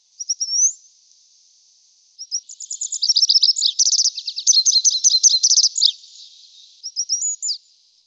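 Grey wagtail giving very high, sharp, metallic notes: a brief opening phrase, then about four seconds of rapid tumbling twitters, and a short closing burst. No other sounds are heard.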